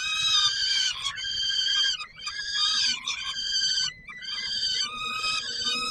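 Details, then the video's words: Continuous rasping, wavering screams from a peregrine falcon at feeding time, Palace of Culture and Science, Warsaw, Poland, 17 July 2022, with only brief dips between phrases. "Sokół wędrowny PKiN Warszawa - Chłopaki wstawać kolacja"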